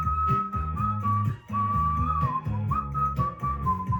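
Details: A cockatiel whistles a clear, pure-toned tune in smooth phrases over soft background music, from a recording meant to train pet cockatiels to sing.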